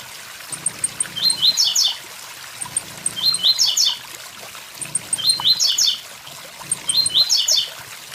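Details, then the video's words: Over the roar of a waterfall, a blue-black grassquit repeats its "tui tui zel zel" song four times: a run of tiny high ticks followed by a short buzzy cluster of rising chirps. "Tiziu tui tui zel zel"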